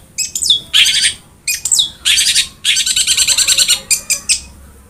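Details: Long-tailed shrike (cendet) in lively song, a masteran meant for lazy cendet birds. Dense, harsh, buzzy chatter mixes with descending whistles and comes in rapid bursts separated by short pauses.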